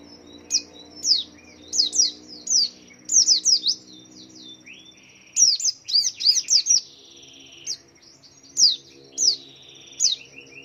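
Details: White-eye swaying as it sings, a lure for other white-eyes to sing too; lively bursts of high, sharply falling chirps in clusters, some softer lower trailing notes, with a steady low hum underneath.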